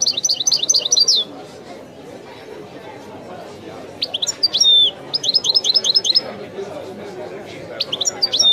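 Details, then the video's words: European goldfinch delivering authentic Widani song, taken from a tape: a fast opening trill of high repeated notes, silence, then sharp slurs and further rapid tinkling runs and a final high burst, with faint low background noise. "chant de chardonneret تغريد الويداني الأصيل"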